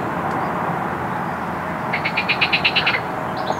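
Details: A mute swan cygnet, one of two, at 10:00 on 26 June 2021, gives a quick run of about nine thin, high peeps in a single second, over a steady roar of traffic-like background noise.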